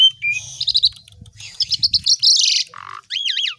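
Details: Vigorous Asian pied starling song used to train other songbirds: a thin whistle, trilled chip series, a harsh buzzy rattle, a lower nasal note and warbling looping whistles, all loud and close, over faint low rumble.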